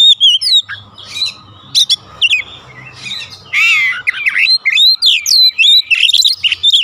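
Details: Kacer or Oriental magpie-robin in loud 'gacor' song used to rouse caged birds at home into responding: varied slurred whistles and chips, a coarse buzzy phrase midway, then rapid bright notes, over a low murmuring background.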